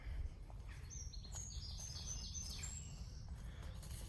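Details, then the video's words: A wren sings in woodland by All Saints' Church, Roos, on a windless day, giving a high, rapid run of thin trills and sweeping notes for about three seconds, fairly distant, over a steady low outdoor rumble. "It's another wren singing."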